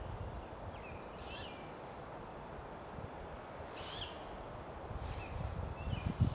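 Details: Great Grey Owl at a food delivery, giving a few high, hoarse, rasping screeches a couple of seconds apart, with softer thin notes between them and constant low rumbling noise.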